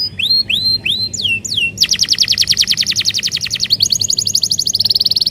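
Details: Canary song used as a lure for other canaries: a few rising looping whistles, then a long, fast, high rattling trill that changes pitch twice.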